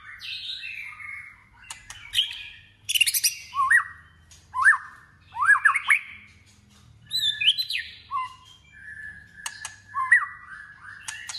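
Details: Competitive singing by a white-rumped shama training its voice: loud rasping bursts alternate with clear rising whistles and sweeping slurs, broken by brief silences.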